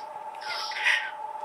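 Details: Cockatiel giving a single harsh, drawn-out screech over a steady lower tone, rising slightly in strength toward the middle before fading.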